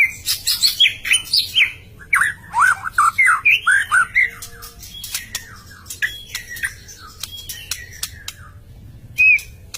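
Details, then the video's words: White-rumped shama in vigorous song, pouring out fast varied whistles and slurred phrases in quick succession, then trailing off into scattered single notes and a final clear whistle. "Kicau Burung Murai Batu gacorr"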